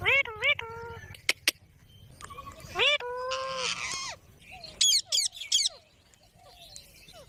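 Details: Several green parrots make talking sounds: quick harmonic bent notes, two sharp clicks, a longer rasping wavering call, then a cluster of shrill descending screeches and soft fading chirps.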